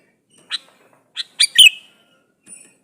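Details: A male sooty-headed bulbul calling a female: a few short, high chirped notes, then a quick pair of bright, slightly slurred notes, and a faint final note, with silence between.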